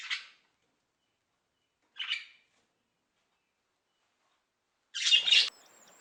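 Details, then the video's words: Parrot: three harsh, raspy squawks, two short ones two seconds apart, then a longer, louder screech, with no other sounds. "some parrots have the ability to make sounds like human voices"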